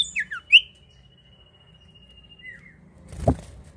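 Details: Common iora singing actively, used as a lure to draw song from newly caught birds: a few quick sharp chirps, then one long steady whistle held for about two seconds that ends in a short falling slur, with faint low rumble.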